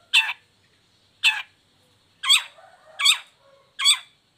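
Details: Harsh, grating single notes from a long-tailed shrike, meant to coax lazy or moulting shrikes into song: five broad raspy bursts, the first two widely spaced, then three closer together with soft chatter between.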